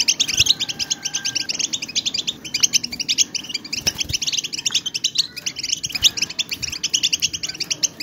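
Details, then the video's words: Large gathering of European goldfinches giving excited twittering intended to spur quiet birds to sing; a continuous, busy stream of high tinkling chirps from many overlapping birds, with a faint steady whistle near the start. "اقوى بتبتة ,لتهييج الحسون على التغريد ,بتبتات خلوية ستوقظ النار في حسونك"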